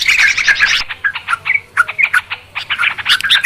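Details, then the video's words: Trucukan, the Yellow-vented Bulbul, chattering in a clear trapping lure: a dense burst of harsh chirps, then spaced, bubbly whistled notes in quick irregular succession. "Suara trucukan ribut...suara jernih buat pikat"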